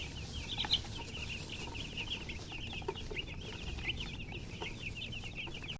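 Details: Baby chickens chirping, a continuous stream of high, short falling peeps from many chicks at once, over a soft hiss.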